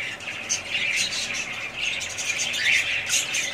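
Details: Budgerigars twittering: bright, high chirps and scratchy warbles overlap in a constant stream, with a few louder squeaky notes standing out.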